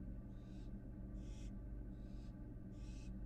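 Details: American barn owl fledgling returning to its nest box in Florida after already venturing outside: four harsh, breathy hisses, each about half a second long, repeated at a steady rhythm over a constant low hum.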